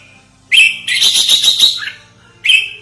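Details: Red-whiskered bulbul lure for trapping and training: a sharp whistled note, then a loud rolling, bubbly chatter about one second long, ending with another sharp whistled note.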